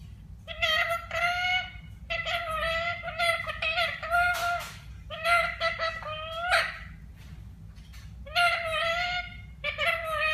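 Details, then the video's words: A parrot in Kerala, India, talking in a run of speech-like, harmonic phrases with wavering, slightly rising tones, delivered in clustered bursts with brief gaps across the recording, steady low hum underneath. "Talking Parrot in india"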